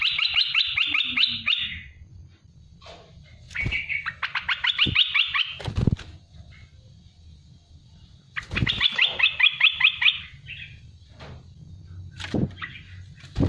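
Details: Olive-winged bulbul, known locally as merbah belukar, cucak lumut or merbah belacan, giving fast bubbly warbled bursts called 'tembakan pedas', used to tutor caged songbirds; three rapid chattering phrases separated by pauses, with low thumping noise below.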